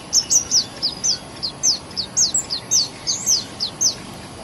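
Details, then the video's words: Common Indian sunbird in a garden, its small body giving a loud, high, musical song: a steady run of sharp, downward-slurred chips, nearly two per second, clear over quiet background hiss. "Song Of Sunbird"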